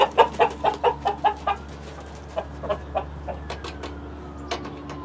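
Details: A burst of rapid clucks, roughly eight in a regular run over the first second and a half, then fainter scattered clucks, from a flock of hens with a Rhode Island Red rooster. A faint hum sits underneath.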